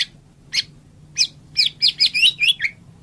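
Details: White-rumped shama singing a sequence of sharp, high, scratchy notes, spaced at first, then packed into a quick chattering run, with a low steady hum behind.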